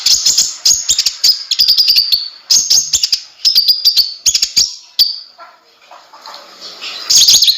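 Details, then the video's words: Kolibri ninja (konin) singing vigorously, kept as tutor song for cage birds: rapid high-pitched chattering bursts with crisp clicks, a quieter gap mid-way, then a loud shrill phrase returning at the end. "suara burung konin gacor bisa untuk masteran semua burung"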